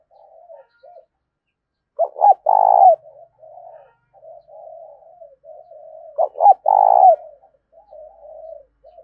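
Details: Spotted dove cooing to stimulate a decoy bird. Two loud phrases about four seconds apart, each of short stuttered notes and a long vibrating coo. Continuous soft, muffled cooing runs between and around them.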